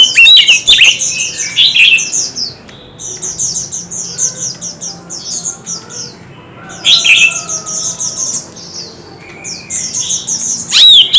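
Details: Kept white-rumped shamas in a heated, many-voiced singing contest: loud warbled whistle bursts alternate with long stretches of rapid, high, repeated chirping from several birds.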